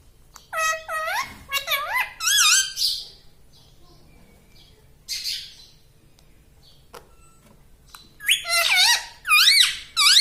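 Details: Pet parrot (tota) talking, taught to say "mummy" and "mitthu": bursts of bright, harmonic-rich swooping syllables, several dipping then rising, in two clusters separated by a quiet gap with a few short clicks.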